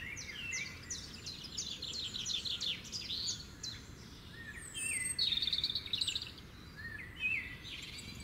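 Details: Birds singing in the open: several high, quick twittering and whistled phrases, one short buzzy trill near the middle, all over a constant low rushing noise.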